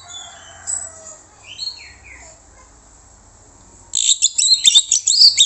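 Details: A lure recording of orange-headed thrush song intended to provoke answers. Faint, separate down-slurred whistles, then a sudden loud string of sharp, high chirps.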